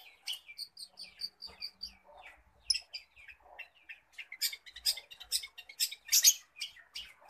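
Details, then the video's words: Mimicking song of a long-tailed shrike, known locally as cendet: a run of short whistled notes spaced about a third of a second apart, then mixed chatter and a string of harsh, buzzy bursts toward the end. "Burung cendet \ pentet ci peniru ulung"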